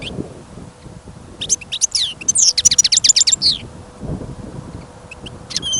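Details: Caged goldfinch brought outside on a snowy, windy winter day while birds were being trapped; one quick phrase of sharp, high twittering notes and a fast rattling trill, then quieter, with wind noise throughout.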